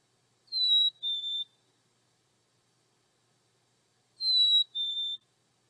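Black-capped Chickadee giving its clear two-note whistle, a higher note then a slightly lower one ('fee-bee'), sung twice about four seconds apart in otherwise quiet surroundings.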